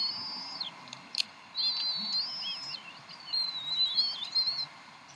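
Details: Bald eagle family at the Decorah nest during an evening feeding, 26 April 2012, 7:50 pm CDT: thin, high whistled calls running almost continuously, wavering and slurring down at their ends, over a light background hiss.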